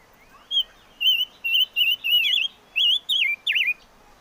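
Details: Chim ngũ sắc singing a lively series of wavering, warbled whistles, some rising and others swooping down sharply. The phrases come in quick succession, about eight notes in four seconds, in quiet surroundings.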